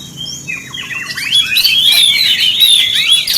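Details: Oriental magpie-robin singing to provoke other magpie-robins: a few descending whistled notes, then a loud, rich outpouring of rising and falling warbled phrases that builds and stays strong to the end.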